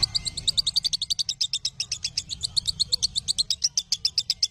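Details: Lovebird song meant to train other lovebirds: quick, piercing chirps repeated about four per second, slightly irregular, forming a continuous bright chatter with a soft low background hum.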